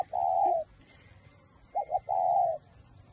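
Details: Spotted dove kept as a decoy bird at a northern Vietnamese dove farm in Ba Vì, Hanoi, with a whistle-type voice, calling both in trees and on the ground; a low long coo, then two quick short coos and another drawn-out coo.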